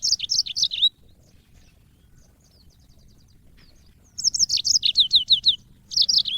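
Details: African yellow-fronted canary singing on audio meant to train caged songbirds: rapid series of high, chirpy down-slurred notes, a soft ticking pause, then a longer bright warbled run and a brief final burst.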